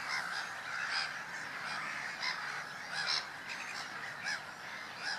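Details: A drake Garganey on Woolston Eyes No.3 bed, recorded 10 May 2014, calls with short, dry, rasping notes at uneven intervals about once a second, over a busy hiss of wetland bird chatter.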